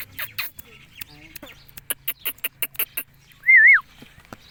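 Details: Rose-ringed (Indian ringneck) parakeet: a run of short, scratchy chattering notes and clicks, then a loud, clear whistle that rises, dips and rises again before dropping away.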